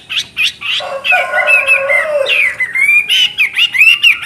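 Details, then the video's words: Chinese hwamei in full, lively song: varied whistled phrases sliding around a mid-high pitch, with a lower rich warbling passage in the middle and quick repeated notes toward the end. "Burung Hwamei Wambi NGOCEH Istimewa Gacor Suara Cristal Isian special"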